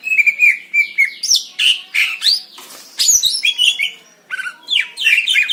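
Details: Greater green leafbird recorded in Indonesian nature, pouring out a fast, varied jumble of whistles, chirps and downward-slurred notes, with a brief burst of wing-flutter-like noise midway.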